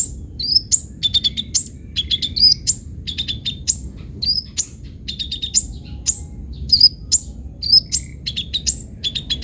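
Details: Busy sunbird song, kolibri ninja singing at full volume as a master tutor: dense stream of piercing downslurred whistles and stuttering clusters of short repeated notes, nearly continuous, over a low steady hum.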